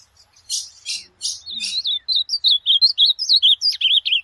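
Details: Ultramarine grosbeak singing, a recording for training a pet bird: several rasping chirps give way to a rapid chain of clear, curling whistles, each note sliding up and down, ending on lower notes.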